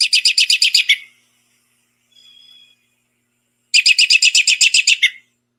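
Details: American Robin giving its commonly heard whinny call: two quick whinnies, each a rapid run of about ten sharp, high notes lasting a second, with a single faint thin whistle between them.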